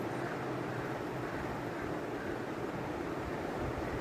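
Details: Steady broadband rumble of wind and engine-like noise, with no animal voice heard.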